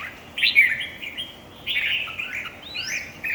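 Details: At a singing competition, a red-whiskered bulbul gives two rich warbled phrases, each about a second long, bright and fluty with quick rising and falling notes, separated by a brief pause.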